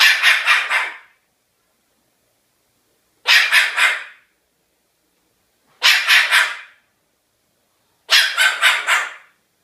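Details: Four hoarse barks, each split into about four rapid rough pulses, from a pet cockatoo copying a dog, spaced two to three seconds apart.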